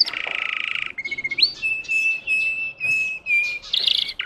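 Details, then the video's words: Russian singing canary performing a rapid rattling trill that gives way to a long, steady, pure whistled tone with a brief upward flick, ending in a burst of chatter. "The singing of a canary. Melodies Canary Bird song"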